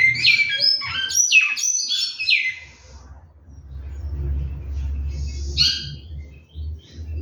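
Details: Captive large-billed seed finch singing a fast run of clear whistled notes that slur downward, about three seconds long, then a low hum and one brief whistled note afterwards.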